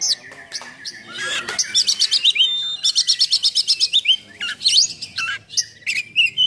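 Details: Singing oriental magpie-robin in full rough-filled 'nembak' style, for provoking and training other magpie-robins. Scratchy notes lead into two long runs of rapid, high, evenly spaced chips, then rising whistles and short chirps.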